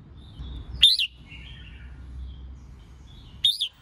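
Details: Female red-whiskered bulbul calling to excite males into singing, for song-duel training; a sharp rising-falling whistle, then a soft low trill, and another bright whistle near the end.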